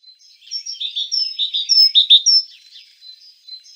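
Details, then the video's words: Great tit giving one of its varied calls: a quick, twittering jumble of high, thin chirps and short slurred whistles, building in loudness mid-sequence before fading to scattered soft notes. "Różne odgłosy sikorki bogatki."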